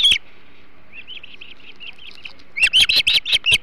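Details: Hog Island osprey at its nest over a flounder feast, 21 July 2016: one sharp chirp, a soft series of low whistles, then a loud burst of rapid shrill chirps.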